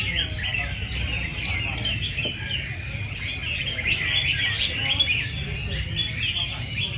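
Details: Competing caged red-whiskered bulbuls in a crowded contest session sing continuous overlapping sweet whistled trills and rising notes, with faint voices and a low steady rumble behind.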